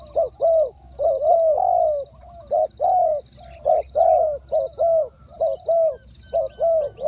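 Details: Two-word decoy crowing of a spotted dove meant to attract wild doves: soft, low, mellow coos in paired short notes and longer slurred ones, rolling on almost continuously. A constant high-pitched whine stays in the background.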